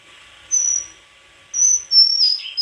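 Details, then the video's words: Two long, thin, piercing whistles from a White-throated flycatcher, the second sliding into a short warble, over quiet background hum. "Sikatan krongkongan putih suara gak kalah sama burung kicau lain"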